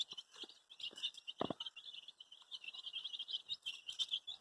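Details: Many coloured chicks calling for their mother give a steady stream of high, sharp peeping chirps, several birds overlapping, with one short knock early on.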